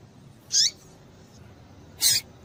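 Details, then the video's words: Two brief, high-pitched, somewhat buzzy chips from a female double-collared seedeater, about one and a half seconds apart, used to get males singing, with a faint background hum. "Piado de Fêmea de Papa capim Para Esquentar Papa capim"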